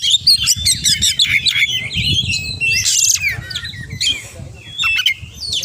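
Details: Oriental magpie-robin song full of borrowed phrases, clipped repeated chirps, falling whistles and a short harsh rasping burst, with low rumbling noise beneath.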